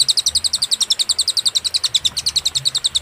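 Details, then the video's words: Cililin song used as a master for tutoring songbirds: an unbroken, rhythmic trill of very high, sharp chirps at about seven per second, even and clean against a quiet background. "masteran suara, burung cililin suara jernih & berjeda"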